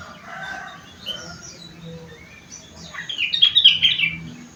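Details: Sooty-headed bulbul (kutilang) whose song is filled in with rengganis and cucak wilis material: soft, low chatter at first, then a sudden loud burst of rapid, tumbling high chirps and trills near the end.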